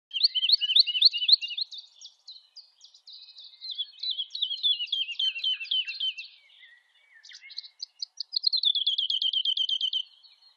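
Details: Woodlark song, given while rising in undulating flight to great height: high, liquid phrases of rapidly repeated, slightly descending notes, each series at a steady pace, shifting pitch between phrases, with a brief pause before a fast final trill.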